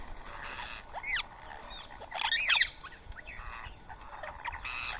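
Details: Rose-ringed parakeets feeding on soaked boiled rice in Coimbatore, India, morning of 31 March 2024; a few scattered harsh screeches rise over a softer background murmur of more distant calls.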